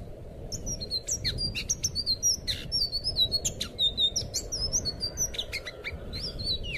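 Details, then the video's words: Anis biru thrush singing, from a recording meant to teach captive birds their song: rapid, high-pitched whistled slurs and clipped notes tumble on without pause, loudest in the middle, over a faint low hum. "suara burung anis biru buat masteran burung bahan"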